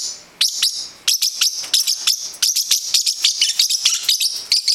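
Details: Indoor pet parrotlet aged nine weeks, excitedly chasing another bird: a rapid series of sharp, high chirps, about four or five per second after a short quiet start, very loud and insistent.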